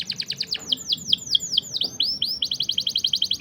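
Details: Canary singing a long rolled chirping song, used as a master recording to tutor young canaries or prompt stalled singers. Rapid high repeated notes give way to slower swooping whistles, then return to a quick even roll.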